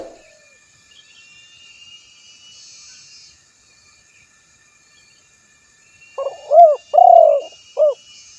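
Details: Spotted dove coos late in the recording after a long quiet stretch: a short note, a rounded coo, a long burred coo and a brief final coo, with faint insect hiss behind.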